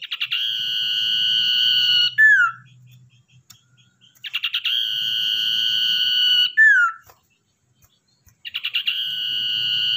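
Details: Common iora, a wild-caught captive tamed for use as a lure bird: three drawn-out whistles about two seconds each, each begun by quick stuttering notes and closed by a falling slur, with short pauses between.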